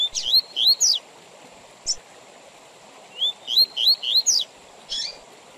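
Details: Double-collared seedeater giving Tui Tui Zel Zel phrases, with pauses for song teaching and tournaments: two groups of quick rising whistles and piercing high slurs, a lone high note between them, and a steady high hum behind.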